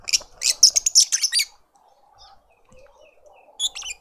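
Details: Lovebird family in a suburban garden in Pretoria, South Africa, with adults feeding a juvenile: a rapid burst of high, harsh chirps for about a second and a half, quiet softer notes, then more shrill chirps.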